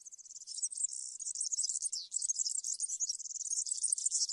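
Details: European serin country-style song for educating young birds during moult: a continuous, fast, very high metallic jingling trill without pause.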